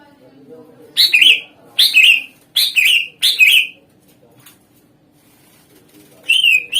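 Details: Greater green leafbird song used as a lure for other songbirds to answer: four harsh, raspy notes spaced under a second apart, a pause of about two seconds, then one more similar note.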